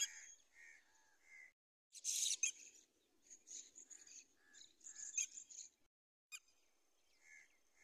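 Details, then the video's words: Red-wattled lapwing moving around, giving a run of sharp, high, strident notes in quick series, broken by one harsh, loud burst and scattered shorter calls. "Red - Wattled Lapwing | Beautiful Bird & Sound"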